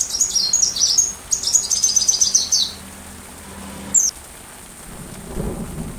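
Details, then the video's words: Sunbird song recorded for teaching a white-rumped shama: a quick jumble of very high, thin, twittering notes lasting about three seconds, then one sharp chirp, followed by near-quiet with a faint low rumble. "Rajanya Isian Kolibri"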